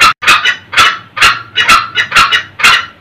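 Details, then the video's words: Male and female red junglefowl giving cackling ngekek calls, used to lure old wild males very early in the morning; harsh, sharp clucking notes come in quick bursts, about two per second. "suara ayam hutan jantan dan betina ngekek"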